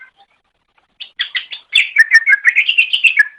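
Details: Training recording of greater green leafbird song: after a quiet start, a few scratchy notes lead into a rapid, rhythmic chattering trill of bright chirps.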